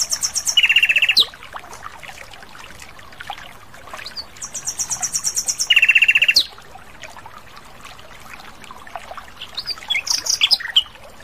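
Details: Lively song of an Asian brown flycatcher in the wild. A high, thin trill drops into a lower buzzy rattle. The phrase repeats after about four seconds, and scattered high chirps follow.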